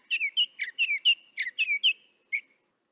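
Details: Northern mockingbird heard from a distance through a parabolic microphone: a quick run of bright chirped and whistled notes, about a dozen short phrases in under three seconds, then a pause and one last chirp, against a clean, quiet background.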